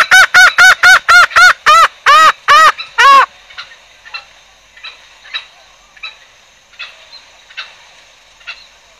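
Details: Green junglefowl sound used as a trapping lure: a fast series of loud, rich clucking notes for about three seconds stops abruptly, leaving faint high notes repeating irregularly in the background.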